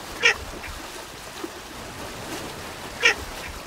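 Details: Two short, harsh quacks from a Baer's pochard, about three seconds apart, against faint steady background noise.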